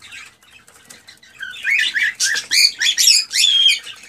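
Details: Male cockatiel in excited song to stimulate a female to mate. Quiet at first, it turns into loud, rapid bursts of harsh chirps and whistles repeated about twice per second.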